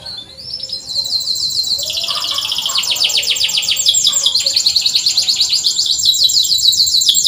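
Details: Canary singing to coax quiet canaries into song: after a brief rising opener, a dense, loud rattling trill of rapid repeated notes holds steadily for several seconds at high pitch.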